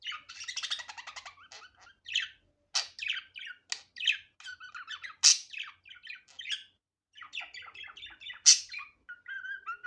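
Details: Budgerigar chattering in an unedited natural recording: ten seconds of nonstop scratchy warbling, clicks, and sudden harsh squawks, with short whistled notes mixed in.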